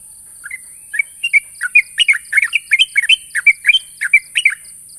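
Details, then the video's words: Sooty-headed bulbul calling out a rival, a sound meant to provoke an answering bird: bubbly, slurred two-note phrases, rising and falling, repeated rapidly after a soft start, over a steady high hiss and faint insect-like pulses. "suara burung trucuk memanggil lawan"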